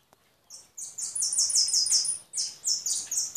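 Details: European goldfinch starting after a short silence with a bright, rapid twitter of high notes, a brief break, then another tinkling burst.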